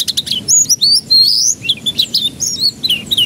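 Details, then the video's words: Canary song used as a lure to get young canaries to start singing: rapid varied phrases of high whistled trills, rising and falling sweeps and quick chips, nearly continuous with brief pauses. "Pancingan Kenari Paud Agar Cepat Pecah Suaranya"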